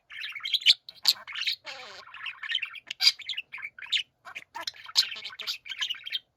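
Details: Chorus of pet budgerigars, with bright chirps and squawky notes, one harsh grating buzz near the middle, and continuous chattering warble.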